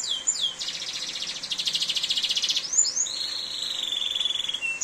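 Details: A canary sings during heavy rain: fast, high-pitched, buzzy trills broken by quick whistled sweeps, then a long, steady whistled note, over a hiss of rain.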